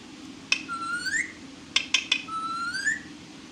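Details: Domestic talking parrot producing a sharp click and a long, slowly rising whistle, then a quick triplet of clicks and a second similar upswept whistle, over low steady room noise.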